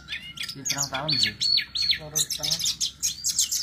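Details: Training song of a lively sulingan gunung for other songbirds to learn; repeated arched whistles about three per second, mixed with rapid chips and a few lower rasping notes.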